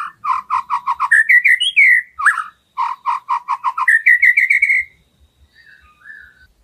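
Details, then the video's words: White-rumped shama filler song for tutoring: rows of short, rhythmic, knocking whistled notes alternate with rising whistled trills, fading into soft distant notes at the end. "BURUNG MURAI‼️ SUARA ISIAN KUMPLIT"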